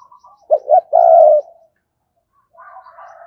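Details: Spotted dove cooing to urge and lure wild doves: two short low coos, then a longer drawn-out coo, followed by quieter, softer cooing.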